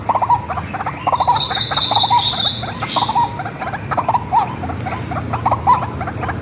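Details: Captive, hand-raised white-breasted waterhen used as a lure: rough, repeated croaking bursts about once per second, with a thin high hissing buzz for the first few seconds and a low background hum.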